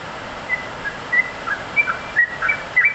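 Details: Yellow-vented bulbul singing vigorously: short bright whistled notes, some slurred and rising, scattered irregularly over a steady hiss of background noise.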